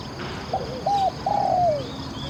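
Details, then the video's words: Decoy spotted dove used to lure wild doves. It gives a short hooked coo, then a clipped coo and a long, gently falling crooned note, over a constant low rural hum. "ออกต่อนกเขามหญ่ เจ้าหลิ่วคารมหนุนขัดเปลี่ยน อ ช้าง เสียงดีมาก"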